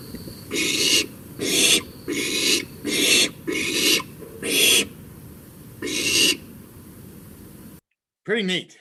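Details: Barn owl (Tyto alba) chicks in the nest at night by the Patuxent River, Maryland, negotiating with siblings, calling back and forth. Seven harsh, hissing screeches, each about half a second, roughly a second apart; a brief different sound follows a pause.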